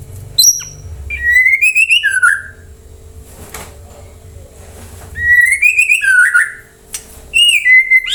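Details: White-rumped shama song used as a lure to set other birds singing: separate bursts of clear whistled phrases, rising then dropping, with quiet gaps and faint knocks between.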